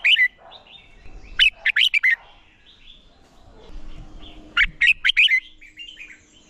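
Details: Red-whiskered bulbul giving competition song for training other birds: two clusters of sharp, fast whistled notes separated by a quiet gap, with a faint hum underneath.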